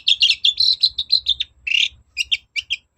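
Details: Long-tailed shrike lure song to provoke replies: fast continuous warbling chatter of high notes, a single harsh buzzy rasp, then separate short sharp chips.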